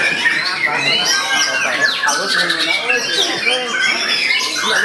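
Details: White-rumped shama (murai batu) bowing as it sings, unloading a rich store of varied song material: dense run of quick whistles, chatters and sharp modulated notes, fast-changing and overlapping throughout.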